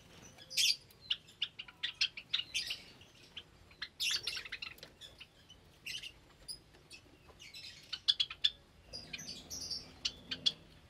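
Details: Java sparrows in a cage aviary where many chicks have recently hatched, on a Sunday morning, 8 May 2022; scattered high chirps and short clucking notes from several birds, irregular and overlapping, with a quiet background.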